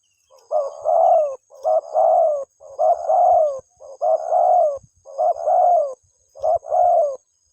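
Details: Spotted dove cooing to call its mate, six steady two-part phrases, a brief hoot then a drawn-out descending croon, repeated roughly once per second in a quiet setting.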